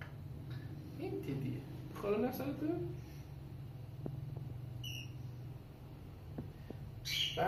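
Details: A free-flying pet cockatiel gives a short, bright whistled call, then a harsher squawk, after a person calls it.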